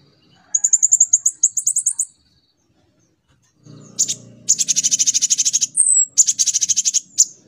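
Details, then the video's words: Konin, the brown-throated sunbird, as a training lure for a young olive-backed sunbird: a high pulsing trill, a pause, then long fast rattling chatter broken by a thin downslurred whistle, with a low hum beneath. "Pancingan konin rajin cerewet materinya ampuh buat kolibri ninja paud"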